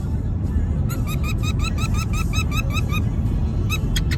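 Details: Pet bird singing indoors: a fast, even series of short upslurred whistled notes, about six per second for two seconds, ending with a few sharp high chirps, over constant low background hum.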